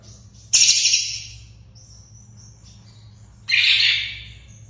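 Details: Long-tailed shrike heard on a training recording meant for captive birds, giving two rasping, noisy bursts roughly three seconds apart, each decaying gradually, with soft high whistled notes in between and steady low hum.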